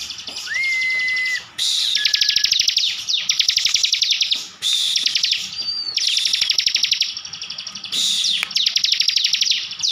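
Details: Bar-winged prinia, kept by an owner in Slawi, Tegal, Central Java, delivering full 'tembakan' song: long volleys of rapid, buzzy, stuttering notes lasting one to two seconds, broken by short pauses, sharp downslurs and a clear level whistle near the start.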